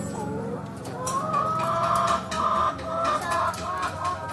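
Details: Chickens travelling in a car before slaughter: loud, sustained, quavering squawks repeated in three surges, with overlapping clucks and a faint low hum.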